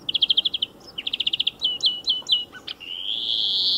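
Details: European greenfinch singing beside a motor racing circuit: quick, bright trills of repeated notes, a few twittering phrases, then a long, drawn-out nasal wheeze rising at the end.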